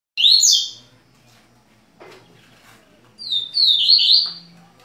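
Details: Pair of double-collared seedeaters kept indoors in Rio de Janeiro, Brazil, singing the tui-tui song style: two bursts of bright, rapid chirping notes, the second longer and descending slightly, with a quiet room between.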